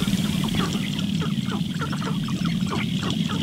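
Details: Busy sharp-tailed grouse lek at morning, several males courting a visiting female with intense displays; constant low rattling pulses under a crowded run of short, rising cackles and clucks.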